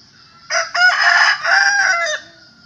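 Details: Rooster crowing once: a loud, harsh, drawn-out cry of about a second and a half, starting with a brief rising note and then held and wavering before dropping off, over faint background noise.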